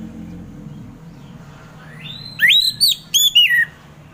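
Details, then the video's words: Orange-headed thrush, ngeplong song: a soft rising lead-in followed by two or three loud swooping whistles that climb and fall, set against a low humming background. "Kicauan Anis Merah || Ngeplong Santai"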